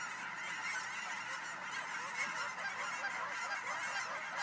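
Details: Flock of geese taking off at William L Finley National Wildlife Refuge: a dense, continuous chorus of overlapping honks, many birds calling at once with no pause, like a steady roar of nasal cackling.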